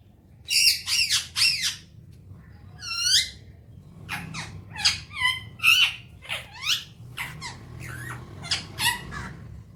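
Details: A pet talking Alexandrine parakeet, indoors in the morning, gives harsh, grating squawks mixed with shorter whistled and chattering notes, including one clear falling whistle, in bursts over ten seconds.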